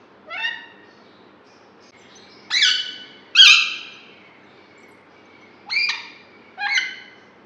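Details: Caged green ringneck Alexandrine parakeet talking: five separate harsh, nasal, harmonic-rich utterances spaced about a second or more apart, each swelling then fading, in an otherwise quiet room.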